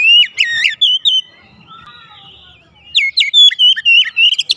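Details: Oriental magpie-robin (kacer) singing quickly, two bursts of loud rapid whistled notes with abrupt pitch jumps, separated by a quieter soft warbling passage.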